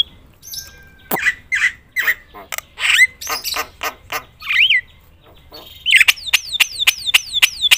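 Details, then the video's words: Loud, lively Javan myna used to stir other mynas into singing, giving harsh squawks, slurred wavering whistles and a closing series of quick descending whistled notes repeated several times a second. "suara KERAS jalak kebo gacor full isian bikin semua burung jalak emosi gacor"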